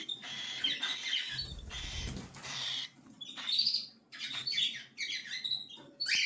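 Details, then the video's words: Begging cockatiel chicks: scratchy, buzzy calls in irregular bursts, a low rumbling handling noise midway, then renewed rasping squeaks toward the end. "صغار عصافير الكوكتيل"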